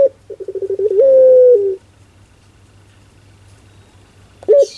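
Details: Barbary dove with a comical 'pelung' coo, rapid stuttering pulses leading into a long steady note that drops a little at the end, then silence and a brief opening note of the next call.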